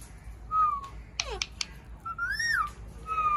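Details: A pet Indian ringneck parrot (Kashmiri raw parrot) gives clear whistles: a level note, a quick falling sweep with sharp clicks, a rising-then-falling whistle, then another level note, indoors.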